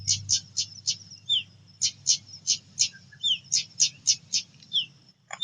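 A female pied bushchat gives quick runs of sharp, scratchy high chirps, about three or four a second, with a few lower down-slurred notes and a faint low hum beneath.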